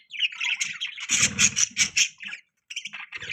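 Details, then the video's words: Pet budgerigars, with newborn young, chattering in quick bursts of harsh, buzzy squawks and bright high chirps, dense for about two seconds, then a brief pause before a few more scratchy chirps. "Beautiful Budgies Chirping Sound"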